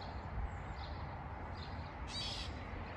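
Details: A Gray Catbird gives one nasal, cat-like mew, slightly slurred and about half a second long, over steady low rumbling background noise; recorded June 25, 2024, in Wellesley, Massachusetts.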